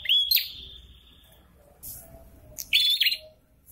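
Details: Prinia (prenjak kepala merah) in breeding condition: a sharp chirp running into a fading buzzy trill, then after a pause another bright chirp with a short buzz.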